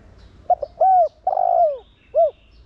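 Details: A single Thổ Đồng style phrase from a decoy spotted dove cooing to stimulate others: a quick double note, a rounded coo, a long warbling coo that slides downward, then one short final coo over quiet background.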